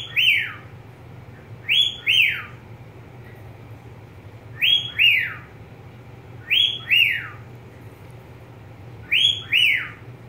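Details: Domestic budgerigar whistling paired, descending notes with strong overtones, five pairs at about two-second gaps over a steady low background hum.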